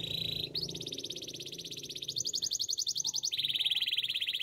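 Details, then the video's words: Canary song used for training: buzzy, very fast trills held on one pitch, stepping up in pitch and then back down, with a faint murmur of background noise. "Canaries song for training! The best canary singing"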